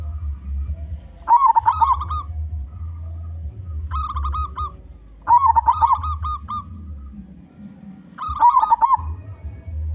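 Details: Strong-voiced local zebra dove kept as a lure for wild zebra doves, repeating bubbling, trilled coo phrases about every two seconds over a constant low droning hum.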